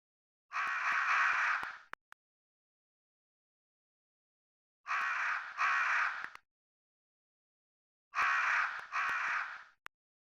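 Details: Crow cawing in rough pairs: a drawn single harsh call, then two doubled caws in quick succession, each pair separated by several seconds of silence and light clicks.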